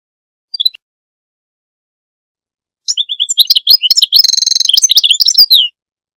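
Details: A brief pair of high chips, a long pause, then goldfinch song of quick liquid twitters leading into a sustained buzzy, nasal trill and a final flourish of bright notes.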